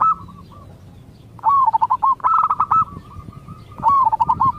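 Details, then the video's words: Local zebra dove song, played so other zebra doves answer: a faint steady tone, then three bubbly phrases of quick, stuttering mid-pitched coos, the middle one slightly higher, over a low hum. "Cukup Dengarkan Suara Ini Perkutut Lokal Bahan Anda Akan Nyaut"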